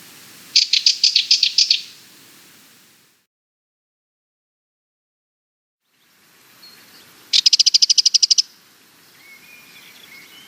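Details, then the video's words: Sardinian warbler, a Mediterranean scrub and woodland bird, delivering two bursts of rapid harsh rattling, each lasting about a second with a long pause between; faint high twittering from another bird follows the second burst. "Sardinian Warbler - Calls"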